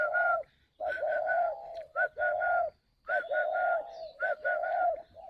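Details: Spotted dove at a Vietnamese bird farm in Ba Vì, Hanoi, cooing in the calling style: clear, throaty two- and three-part phrases, each ending in a longer hoot, repeated about once a second in a quiet room.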